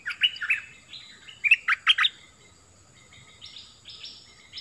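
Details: Bulbul singing: short bright chirped and warbled notes in quick bursts, some rising and falling, clustered in the first two seconds, then a pause before a higher run of slurred notes near the end.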